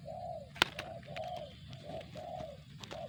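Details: Spotted dove cooing: a series of short, soft, arched low notes repeated about every half second, with a sharp click near the start and light background hiss.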